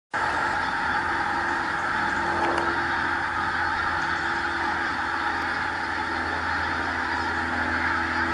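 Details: A large flock of pink-footed geese at Montrose Basin calling together, with high, yelping honks merging into a steady, unbroken din over a faint low rumble.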